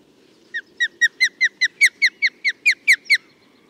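An osprey gives a run of about thirteen short, clear, downslurred whistles, quickening and growing louder, over a low background hum.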